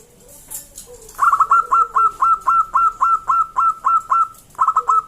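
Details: Wild local zebra dove singing loudly, a lure recording meant to draw other zebra doves into song: a long fast run of about a dozen clipped, bright notes on one even pitch, with a softer lower note before it.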